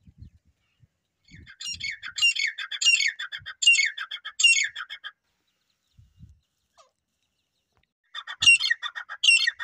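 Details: Young partridge giving harsh, high, downslurred squawks in a loose series of five, then a pause and two more. Faint low thumps sound in the background.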